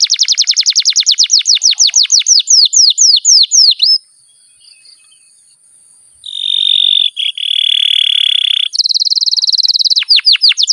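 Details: Canary in vigorous song: a quick series of falling whistled notes, a pause, then a long steady buzzy roll, a high fast trill, and more falling notes.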